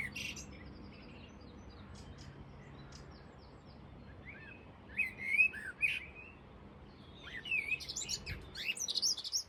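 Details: Common blackbird at Flowersbrook, Isle of Wight, about 7:30 a.m. on 20 April, singing mellow, fluted warbled phrases from about halfway through, ending in higher twittering notes; faint chirps of other birds before.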